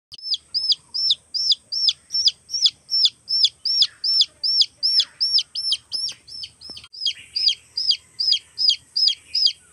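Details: Baby chicks looking for their mother: shrill, downward-sliding peeps repeated steadily about two and a half times per second, with a faint constant high tone in the background.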